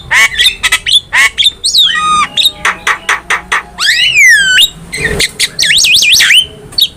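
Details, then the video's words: Black-winged myna singing, a master recording for training cage birds: harsh clipped notes alternating with long sweeping whistles that slide downward, plus a wavering whistle near the end over low background hum. "MASTERAN JALAK KEBO GACOR"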